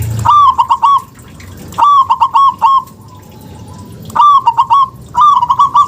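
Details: Zebra dove of local type, played to prompt idle doves into calling; four quick bursts of soft, bubbling, stuttered coo notes separated by brief pauses, clean and close.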